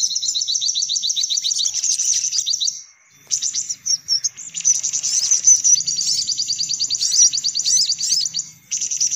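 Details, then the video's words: Sunbird sounds used as a lure for every sunbird type: shrill, fast ticking trills in long bursts, broken by a short silence and then resuming as busy high twittering. "Suara Pikat Burung Kolibri Paling Manjur"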